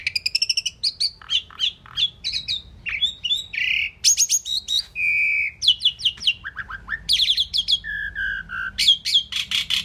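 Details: Indian pied myna described as a talking bird able to say "mynah" and more; dense varied chatter of sharp clicks, short whistles and buzzy harmonic phrases, mostly high-pitched, in rapid bursts for the whole stretch.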